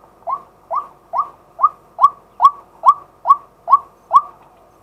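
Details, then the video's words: Decoy male White-breasted waterhen calling in daylight, recorded live from a set-up camera: ten evenly spaced, short upward-swept hoots, about two per second, with faint clicks. "เสียงนกกวัก ตัวผู้ ต่อกลางวัน ตั้งกล้อง อัดสด"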